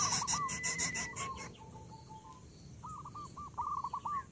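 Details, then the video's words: Coucal nestlings with a parent at the nest; rapid clicking and rustling with quavering notes at first, then a quieter pause and a fresh run of wavering, stuttering calls. "INDUK BURUNG BUTBUT MEMBUNGKAM ANAKNYA YANG BERISIK"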